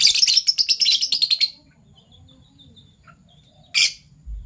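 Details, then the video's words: Two colour-mutation Fischer's lovebirds, violet and gold opaline, chirp in the morning: a fast rattling string of about ten high shrill notes, silence, then one loud harsh squawk. "Lovebird Chirping Sounds - PB Violet Fischer & Euwing Gold Opaline Fischer"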